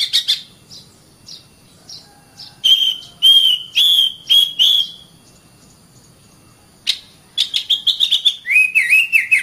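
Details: Oriental magpie-robin training song for caged birds: sparse soft notes, then four long clear whistles, a pause, and a quick series of short notes ending in wavering whistles.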